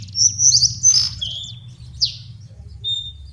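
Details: Lesser shortwing (cingcoang coklat) song for luring and training birds: a bright, high warbled phrase at the start, then sliding descending whistles and a short level note near the end, over constant low electrical hum.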